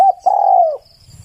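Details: Spotted dove in song: a brief clipped coo, a tiny gap, then a sustained mellow hollow note that droops slightly before stopping. Background near silent.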